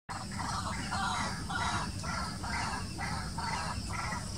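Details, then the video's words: A white-breasted waterhen gives a steady run of harsh, croaking notes, about two per second, over a low rumble of background noise. "White-breasted Waterhen and its Voice"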